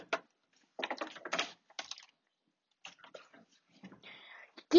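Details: Indoor speech in short bursts with some clicking and tapping sounds; no animal sound is heard.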